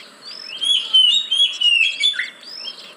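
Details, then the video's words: Kacer, the oriental magpie-robin, singing as a lure for caged birds that are slow to sing; clear whistled phrases, slurred and warbling, in short bursts separated by a moment's quiet. "Pancingan Burung Kacer Yang Malas Bunyi"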